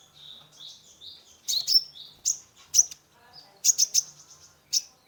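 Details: Sunbird (kolibri ninja) in full song to stimulate a stressed caged bird; a run of thin warbled whistles leads into quick bursts of sharp high chirps.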